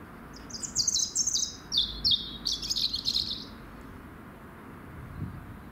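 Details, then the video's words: Robin singing heartily: a quick series of about ten high, thin, tinkling notes tumbling in a slightly descending cascade for three seconds, then quiet with soft low background hum. "Came home from work to find this lovely Robin singing it's heart out.."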